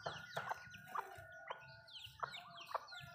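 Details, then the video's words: Malay chickens in a home backyard while eating: scattered sharp pecking taps about every half second, with soft down-slurred peeps and a faint steady hum underneath. "Chicken malayo asmr nice but nonuse sound eating food"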